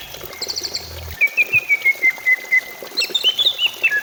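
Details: Greater green leafbird song as a prompt for singing. A brief soft trill is followed by a steady run of about ten evenly spaced, bright chip-like whistles, then a quick descending twittered phrase.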